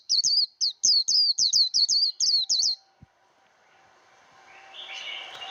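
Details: Voice-training recording of the white-eye líu fighting song for young birds: ten rapid, sharp, high whistled notes with slurred up-down shapes, lasting under three seconds, then a quiet stretch with a faint rising hiss.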